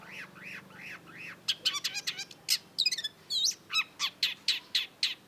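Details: Long-tailed shrike, called cendet, in 'gacor' song: three soft arching whistles, followed by a rapid jumble of harsh chatters, buzzy notes and steady loud high chips, roughly four per second.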